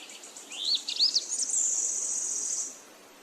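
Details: Bird chirping: a few quick upward-sweeping whistled notes, followed by a long, very high, buzzy trill that holds steady for over a second before fading, over faint background hiss.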